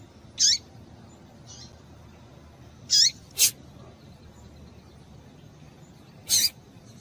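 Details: Female double-collared seedeater call notes, used to excite males into song: high, slurred chips sliding downward, spaced a few seconds apart, with one sharp click and a faint quiet note between them.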